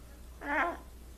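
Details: Trained blue-and-gold macaw pet producing one brief wavering, whiny tonal cry with clear stacked harmonics, rising then falling, lasting under half a second.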